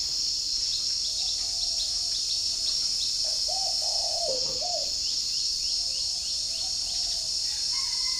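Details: Spotted dove kept at a bird farm in Ba Vi, Hanoi, northern Vietnam, cooing in the morning and answering wild doves outside. Short, low, hooting coos bunch together mid-clip under a loud, steady insect drone and high chirps.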